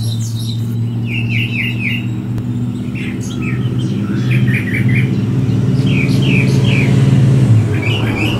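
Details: Brown thrasher singing from a Bradford pear on 23 February 2018, joined vocally by another thrasher: quick runs of slurred, chevron-shaped notes in repeated groups of two or three, over a steady low traffic rumble.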